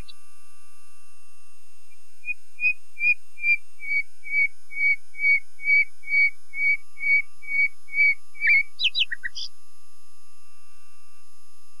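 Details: Long crescendo of soft, evenly spaced whistled notes from a common nightingale, about fifteen in a row, ending in a brief flourish of sharp, high chips.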